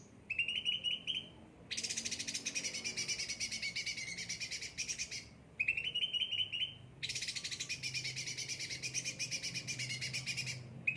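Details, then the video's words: Cucak ranting, kept and pampered, singing: short trilled phrases alternate with long dense buzzy rattles spread over a wide pitch range, repeated in two cycles over eleven seconds. "gacor cucak ranting"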